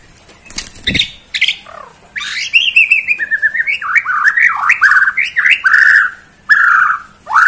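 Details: Borneo white-rumped shama in bowing display delivers a fast, varied song of rising and falling whistles and warbled notes, running almost without pause after a few sharp opening clicks.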